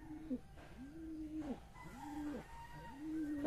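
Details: Pet pigeon that has just laid eggs, cooing softly. There are three low, steady coos, each about half a second long with a slight rise at the start, spaced about one second apart, over faint background hiss.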